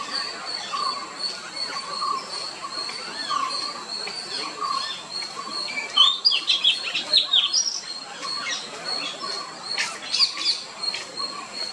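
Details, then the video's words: Melodious whistles and quick twittered phrases of an Oriental magpie-robin break out midway and again later. A steady high droning background and a regularly repeated soft lower note carry through. "Beautiful Song of Oriental Magpie Robin"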